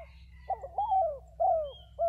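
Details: Spotted dove, a decoy bird of a pair, giving a wavering coo that slides down through a long phrase. A short sharp coo follows, then the start of another, over a low steady hum.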